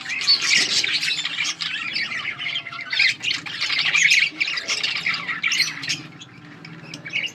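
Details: Yellow budgies chattering, recorded August 20, 2024: a flock's constant high chirps and grating warbles, loud at first and tapering a little toward the end.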